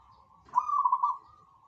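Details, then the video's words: Vigorously singing zebra dove giving one loud rolling coo, a rapid staccato trill held at an even mid pitch for under a second, with quiet background. "KICAU BURUNG PERKUTUT GACORANNYA BUKAN MAIN"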